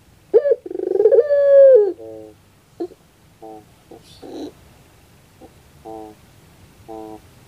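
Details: Barbary dove cooing in pelung style as a prompt for a lazy dove: one stuttering coo swelling and falling, followed by scattered short soft notes with quiet gaps between them.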